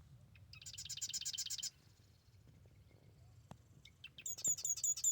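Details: Marsh wren singing in the morning at the Arcata Marsh Bird Sanctuary: a high, buzzy rattling trill of rapid repeated notes, a quiet pause, then a second sharp mechanical trill, over faint low rumble.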